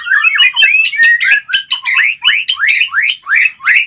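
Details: A white-rumped shama calls to stimulate mating, giving loud, emphatic rising whistled notes repeated steadily about three times per second, each with a sharp upward sweep.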